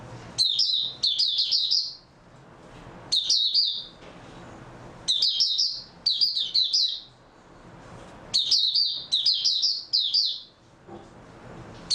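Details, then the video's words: High-pitched twittering song of an oriental white-eye on 3 March 2022, after a good sleep: clusters of fast, jumbled chirps delivered in paired bursts, with pauses of one to two seconds between clusters. "Mata Puteh"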